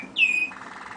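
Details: A Waterslager canary, one of two brothers, sings a brief, clear whistled note that slides slightly down, then breaks into a low, bubbling, water-like roll.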